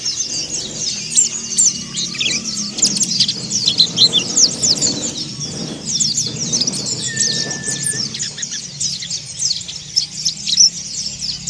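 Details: Oriental white-eye giving rough, rapid chirping used as therapy to stir other birds into song: dense high twittering and trills without pause, two brief steady whistled tones, and a low rumble of background noise.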